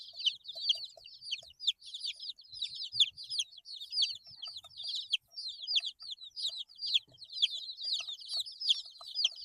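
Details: A brood of eight-day-old chicken chicks peeping nonstop, rapid high downslurred whistles overlapping in a steady chorus, occasional faint tapping below.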